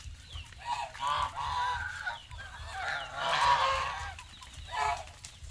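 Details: Geese at a farm in Asia giving a run of rough nasal honks, some overlapping and rising in a cluster midway, with a low hum running throughout.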